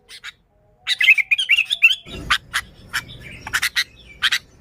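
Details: Vigorous sooty-headed bulbul song intended to attract other bulbuls: a warbling run of quick notes, then a brief noisy thump and a series of sharp, separate chirps.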